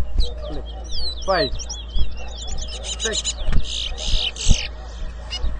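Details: A towa towa competing in a 2022 bird whistling contest at Rosehall Town, Guyana, delivers a rapid warble of high twittering and buzzy notes while people talk and handle things nearby.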